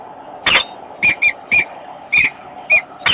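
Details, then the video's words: Peregrine falcon, Włocławek, Poland, 28 February 2022: the male calls to bring the female to the nest without success. Quick squeaky, slightly whistled chips, several in close pairs, over steady low noise. "Zazamka nie przyjmuje zaproszenia"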